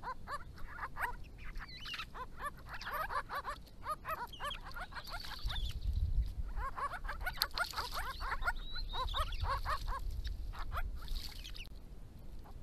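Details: Grey-crowned babblers, endangered in Victoria, a resident family group drinking and diving into water during hot January-to-April weather, exchanging calls; rapid scratchy chatter in repeated bursts over low rumbling wind or handling noise.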